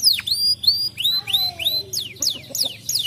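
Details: Canary singing to prompt other canaries into song, delivering spaced clear whistled notes that swoop down and up, about two per second, against a faint low hum.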